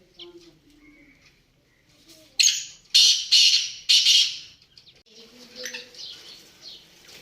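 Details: Black francolin (kala teetar) delivering three harsh, grating notes in quick succession, with faint whistled and chirping notes from other birds before and after.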